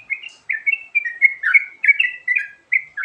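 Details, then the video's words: Varied filler song of a sooty-headed bulbul, a recording used for luring birds: liquid, bubbly whistled phrases, each with rising and falling notes, repeated about every half second in an even, chattering series. "Suara Burung Trucukan Isian Variasi Sangat Ampuh Buat Pikat"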